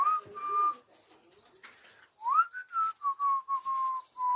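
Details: A one-year-old pet cockatiel gives clear, pure whistled notes, one sliding upward, then a run of short steady whistles.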